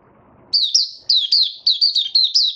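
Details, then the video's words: White-eye settling into its form with an opening song, recorded on 08012022: after half a second of low murmur, a rapid string of high, sweet, slurred whistled notes, about ten in two seconds, each dipping and rising. "Mata Puteh Raja Stablizing his form buka sing"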